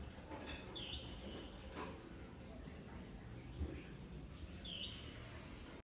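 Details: Red-whiskered bulbul in a patch of urban greenery gives two brief, slurred chirps about four seconds apart, over a steady low rumble of traffic.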